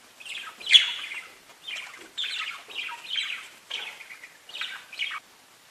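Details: Parakeets talking to each other in separate bursts of raspy warbling chatter about half a second long, one loud sharp squeak at the start, then quieter phrases with brief silent gaps.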